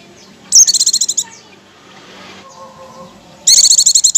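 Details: Lure recording of Oriental white-eye ngecir song: two loud bursts of fast, high-pitched, rattling notes, each under a second long, separated by a quiet gap with faint background chirping and a low hum.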